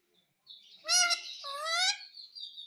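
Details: Pet parrot speaking, a bird taught to say "mummy mummy": a short pair of rising and falling harmonic syllables, clear and nasal, in an otherwise quiet room.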